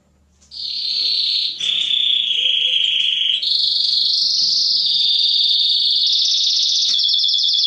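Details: Male canary in full song to excite females before breeding: after a brief quiet start, loud sustained rolling trills on level pitches, about four pulses per second, stepping between higher and lower tours.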